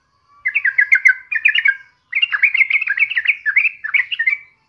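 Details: Sooty-headed bulbul song for stimulating other birds: two lively chattering phrases of rapid, slightly buzzy up-and-down notes, the second longer and continuous.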